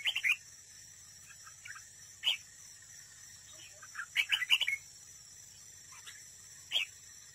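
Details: Red-whiskered bulbul acting as a trap decoy, singing to compete: brief warbled phrases at irregular intervals, the richest burst a run of four or five rapid notes.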